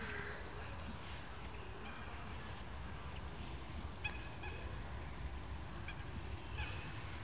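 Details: Mandarin ducks (Aix galericulata) chatter in Łazienki Królewskie park, Warsaw, seemingly sensing spring, giving a few short, reedy calls spaced several seconds apart over a steady low rumble of wind or distant traffic; finding: Mandarin duck.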